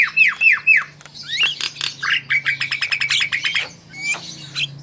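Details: Actively singing Javan myna, meant to prompt other birds to sing: three falling whistled notes, then a fast string of dry clicking notes and rising whistles, over a low steady hum.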